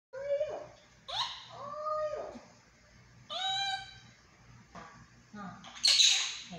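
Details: Pet monk parakeet mimicking speech in Chinese, in a compilation of its talking: several short tonal, voice-like phrases with clear harmonic bands, each about half a second to a second long, ending in a harsh high squawk.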